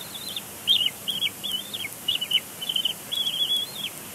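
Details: Bald eagle chick at its nest at Big Bear Lake on April 27, 2022, throwing a tantrum and biting its father's foot; high, thin squealing whistles, each bending down at the end, come in quick uneven bursts over a quiet background.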